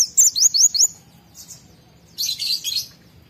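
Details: Excited white-eye, song aimed at prompting other white-eyes: a quick run of about five thin, high slurred whistles in the first second, then quiet, followed by a softer, buzzy high twitter.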